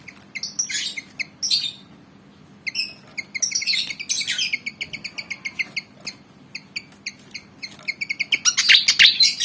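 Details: Javan fantail, black and white, around 19 cm, keen to fight: bursts of rapid high chipping in irregular runs, with harsh noisy flurries between, ending in a dense loud rattle of notes.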